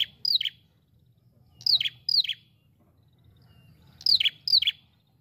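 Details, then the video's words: An ashy prinia (prenjak kepala merah) repeats high, downward-sweeping chips, first a single note then two tight pairs, about two seconds apart, over low steady hum. "Pikat prenjak kepala merah gacor ampuh"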